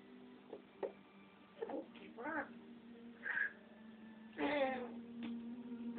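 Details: Camera-shy pet African grey parrot talking indoors: scattered short syllables, a brief whistled note, then a longer loud wavering cry near the end over a constant low hum.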